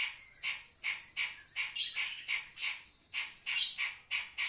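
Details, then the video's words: Pied triller singing: short, husky chirping bursts repeated roughly every half second, with a thin steady high whine running beneath and occasional louder shrill notes. "kapas tembak"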